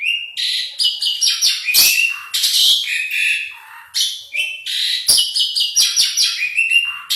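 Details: Lively Asian pied starling song: rapid chattering run of scratchy, buzzy notes, nasal squeaks and downslurred whistles, delivered in quick bursts with brief pauses, close and clear.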